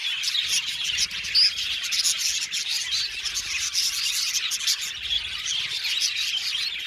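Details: Budgerigar colony chattering in an aviary: dense high twittering with a distinct clear whistled note around the middle of the first half, then steady overlapping chirps.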